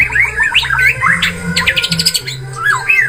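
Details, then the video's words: White-rumped shama song meant to coax a stressed, reluctant bird into singing, heard as dense whistles and harsh squeaky bursts over a noisy, droning background. "Suara Burung Murai Batu | Pancingan Atasi Stres Malas Bunyi Cepat Respon"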